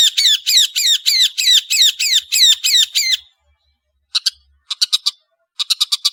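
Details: {'text': 'Long-tailed shrike (cendet) repeating a buzzy, slurred phrase about ten times in three seconds, then a silence followed by a few sharp clicking notes in small clusters.'}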